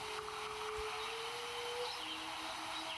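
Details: A steady, low sustained tone that slides up and then drops, over a broad airy hiss, with no animal calls.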